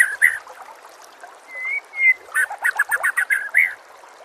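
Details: Song of a white-rumped shama for training shamas, over the sound of trickling water: a few chips, two smooth level whistles, then a rapid chattering run ending in a rising whistle.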